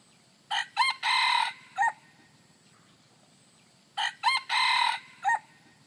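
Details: Rooster, recorded naturally and unmixed, gives two complete crows roughly three and a half seconds apart. Each is a pair of quick opening notes, a long strained held note and a brief dropping finish, over a steady low background hum.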